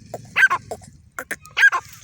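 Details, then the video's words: Female grey francolin calling: two quick pairs of harsh, scratchy notes, each pair rising then dropping, separated by a short pause over a faint low hum. "Grey francolin Female Speaking | grey partridge Female sound"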